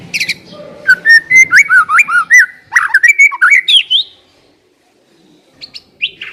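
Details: White-rumped shama singing, played as a lure to get a shama to sing fast and fully: brief low rumble, then a quick run of bending whistled notes and sharp chips over about three seconds, silence, and two short high notes.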